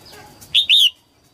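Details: Red-whiskered bulbul female singing at the start of the 2022 season to stimulate males; one clear two-note whistled phrase, second note drawn out and falling.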